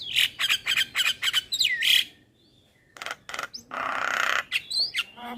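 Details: Calling male Javan myna used as a lure for other mynas: a rapid string of harsh rattling notes ending in a rising whistle, a short pause, then raspy noisy bursts and a final rising whistle.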